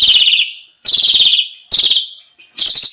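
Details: Asian pied starling song used as a training recording for caged birds, described as full of rich fillers: harsh, raspy, buzzy phrases about half a second long, each fading out, repeated roughly every 0.85 seconds with short silent gaps.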